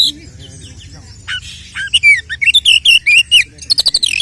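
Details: Oriental magpie-robin fighting song used as a lure for other males: quiet twitters build into a fast, loud string of slurred high whistles and clipped notes, closing with quick sharp chips.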